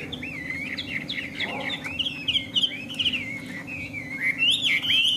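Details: Chinese hwamei, a tame bird in display, pouring out a continuous warbled song of looping whistles and short slurred notes that grows louder toward the end, over a low droning hum.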